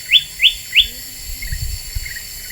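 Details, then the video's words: Black-winged bulbul (kutilang emas) singing vigorously as a lure: three short, bright, rising whistled notes in quick succession, then faint softer notes over a low rumbling background. "Suara Pikat Kutilang Emas Super Gacor,,Bikin Burung Lain Pada Emosi"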